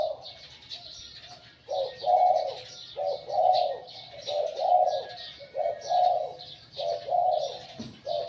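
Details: Wild-caught spotted dove kept as a decoy bird, its voice described as medium to deep: repeated mellow cooing phrases about once every second, each a short rolling coo, with faint higher chirps of other birds above.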